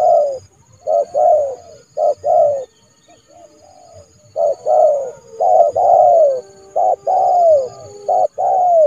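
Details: Spotted dove trained as a decoy, calling a rival into the yard to trap it in January; repeated hollow coos in clusters, many notes sliding downward, with a quieter pause midway before cooing resumes.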